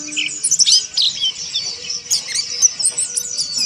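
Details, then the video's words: Oriental white-eye singing in a fast, high-pitched jumble of squeaky chirps and slurred whistles, dense and unbroken, over a faint low hum. "TERAPI PLECI MONTY AGAR NGERIWIK KASAR"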